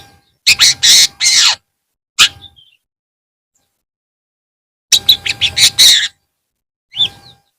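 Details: Afternoon long-tailed shrike: a few loud bursts of rasping, chattering notes, including a quick stuttering run of five or six notes, separated by silences, plus one thin high note near the end.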